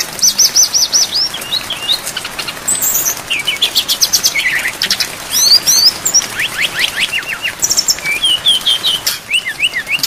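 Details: Brown-chested jungle flycatcher in a long songbird training recording with full varied song and rain. Busy stream of high slurred whistles, quick rising and falling notes and short trills, over a steady hiss of rainfall.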